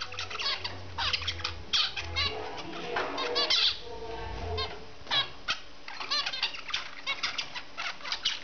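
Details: A zebra finch on a swing gives rapid nasal, buzzy notes, repeated many times a second with a denser trill in the middle, with soft wing flutters and low rumbling underneath.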